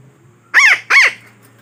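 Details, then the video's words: Two harsh, grating squawks about a third of a second apart from a parakeet, played as a lure call for trapping, over a faint low background hum. "Suara Pemikat Burung Betet"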